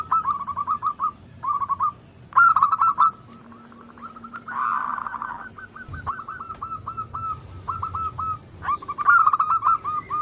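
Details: Zebra dove cooing from a training lure for slow-singing birds: quick bursts of clipped, rolling coo notes, pausing between phrases, with a faint low hum in the middle.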